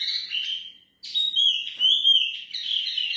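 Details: Mini wambi from a breeding pair ready for breeding, singing busily: a continuous run of high, warbled and chirped notes with brief sliding whistles, broken by one short gap.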